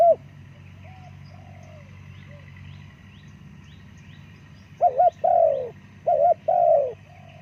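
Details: Spotted dove giving soft, low cooing notes, first a quiet drawn-out coo, then after a pause a louder burst of paired and long falling coos near the end; faint distant high chirps behind.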